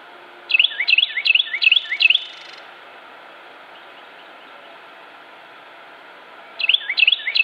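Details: Carolina wren singing in Cabarrus County, North Carolina, USA, on 26 January 2016: loud, ringing rolled phrases repeated rapidly five times, then after a pause the same bright phrase starts again.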